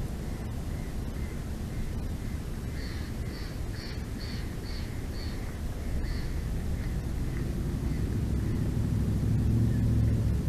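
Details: Bald eagles at their nest in Big Bear Valley, filmed by a nature live cam on 12 February 2024 around midday: a run of high, thin piping notes, evenly repeated in a chattering series, over a steady low rumble.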